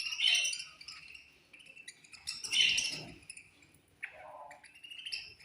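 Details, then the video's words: A colony of budgerigars at feeding time gives sharp high chirps in clusters, with a lower nasal chattering phrase near the end amid the continuing twitter. "Chirping Sounds In Budgies Colony"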